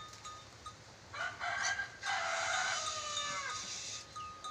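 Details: Ornate lorikeet (nuri dora) from Sulawesi, a bird praised as a clever whistler with many whistles, giving a harsh, drawn-out screechy call in two long broad bursts over a steady faint background tone.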